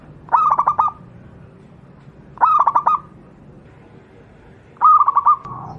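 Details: Local wild zebra dove, used as a master song for captive doves, repeating a bubbly phrase of quick rolling coos three times, roughly every two and a half seconds, clear and unaccompanied.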